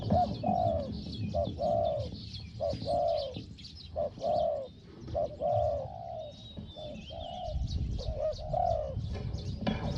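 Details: Steady series of low mellow coos from a small-voiced Thai decoy spotted dove, short and long notes alternating about once per second, later joined by rumbling and rustling noise.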